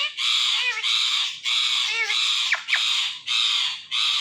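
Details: Ringneck parrot giving loud, harsh screeching calls in long, steady bursts of about a second each. Short gaps separate the bursts, and two quick downward-sliding squawks come near the middle.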